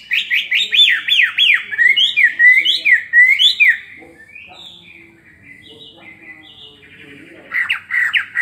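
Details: Chinese hwamei, caged for two years, delivering fighting song with fanned tail: rapid, zigzagging loud whistled notes, a quieter passage of soft warbles, then a renewed burst of fast whistles.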